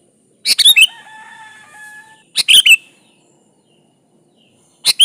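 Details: Sooty-headed bulbul giving lively song to summon a rival: quick bursts of three or four bright, chirpy notes, roughly two seconds apart, with faint long level whistles of another bird in the gap.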